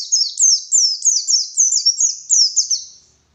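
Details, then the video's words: White-eye (pleci) song used as a morning lure, performed in the wild 'ngalas' style: a rapid series of high, thin descending chirps, roughly eight phrases in three seconds, clean with no other sounds. "Suara Burung Pleci Gacor || Pancingan Pleci Ngalas Pagi Hari"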